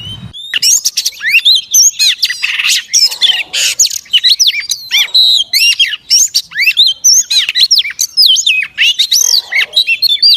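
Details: Oriental magpie-robin, a female calling to stimulate males: a dense, fast run of high chirps, slurred whistles and rapid up-and-down notes, almost without pause, with a few rasping squawks mixed in.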